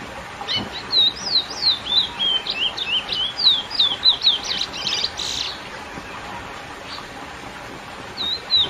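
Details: Lesser seed finch (curió) classic song used to excite females: a fast, flowing run of clear sliding whistled notes, about three per second, over steady background hiss, then a pause and a brief closing phrase.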